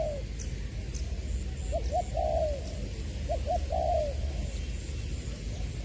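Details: Spotted dove decoy bird from Long Đức, Trà Vinh, Vietnam, 22 February 2021, "giọng tiểu" voice style; two somewhat distant phrases of short paired coos ending in a longer soft coo, over heavy low-pitched background noise.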